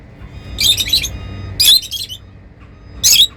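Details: Lovebirds, said to be happy, give three bursts of harsh, high, rapidly stuttered chirps, each under half a second, with quiet gaps and faint hum between.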